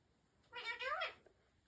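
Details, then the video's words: Pet African ringneck parrot, talked to by its owner in a quiet room, gives one drawn-out, nasal, meow-like word of under a second, rising then falling in pitch. "Talking African Ringneck Parrot"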